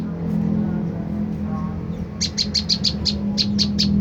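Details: After two seconds of low hum, an olive-backed tailorbird lure call begins: around ten sharp high chirps in quick succession, intended to provoke a reply.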